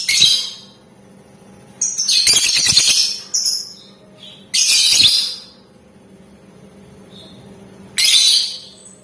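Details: Lovebird in full 'gacor' voice, singing the 'ngetik ngekek' style used to provoke other lovebirds into answering: four bursts of harsh, high-pitched, rapid ticking chatter, the longest about one and a half seconds, separated by quiet gaps with a faint low hum.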